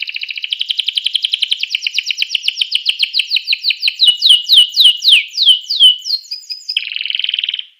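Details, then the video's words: Canary singing to stimulate other canaries: a long rapid trill that slows into distinct sweeping downslurred notes, ending in a buzzy rolling trill, loud and clear. "suara kenari ini 99% jitu sekali membuat kenari lawan gacor"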